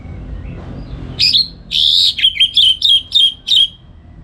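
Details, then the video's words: Orange-headed thrush in a cage at home in Singaraja, North Bali, singing in the morning to train other songbirds: a slurred opening note, then a string of six clear, evenly spaced whistled notes about three per second. "ANIS MERAH Ngeplong Gacor Untuk Pancingan & Masteran Burung"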